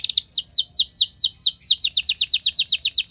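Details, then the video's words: Canary singing a long, loud lure song meant to get other canaries responding: a series of downward-slurred whistled notes about three per second, speeding into quicker repeated slurs. "Langsung Respon Burung Kenari Kondisi Apa Saja Dengan Pancingan Kenari Nembak Panjang Keras Ini"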